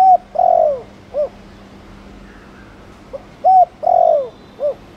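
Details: Thổ Đồng spotted dove cooing in chiêu and gù style to prompt other doves to coo. Two mellow phrases, each a clipped note, an arched coo, a drawn-out downslurred coo and a brief closing note, about three seconds apart.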